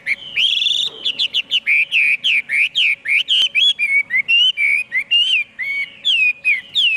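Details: Chinese hwamei singing a lively mix of looping whistles, rapid repeated notes and long slurred phrases, loud and almost without pause.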